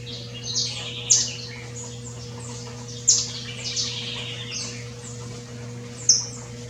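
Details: Saffron finch (canário-silvestre) living free in the wild in Brazil, giving three sharp, high, clipped chirps spaced two to three seconds apart, with fainter twittering birds behind and a constant low hum.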